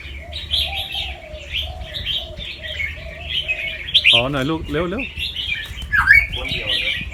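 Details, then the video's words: Competition-line Red-whiskered bulbul, a fancy white albino with red eyes, caged at a farm in Chonburi, Thailand, during song training. Rapid warbled phrases run continuously, with low dove coos early on and a man talking midway. "นกกรงหัวจุกแฟนซี เผือกขาว ตาแดง เจ้าฉลามชล เสียงร้องเบิ้ลๆ ริกๆ สับไว"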